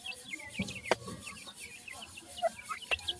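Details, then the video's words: Francolin chicks calling: short thin peeps dropping in pitch, scattered through the clip, with sharp clicks and knocks in the background. "topten teetar bird chicks,top dakhni teetar chicks awaz"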